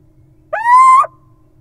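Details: A little owl at a nest box that held nestlings gives one plaintive, mewing note that slides upward and holds for about half a second, with a faint low hum behind it.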